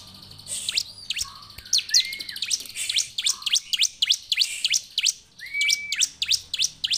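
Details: Bar-winged prinia singing in the afternoon: rapid, loud series of sharp, high descending chips, mixed with a few smooth rising whistles and lower notes, running continuously with brief gaps.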